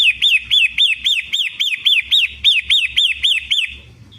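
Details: Long-tailed shrike of the Indonesian 'pentet matahari' type, used as a lure to get silent birds singing: rapid series of loud rising-then-falling whistled notes, about four per second, steady and even, fading out near the end.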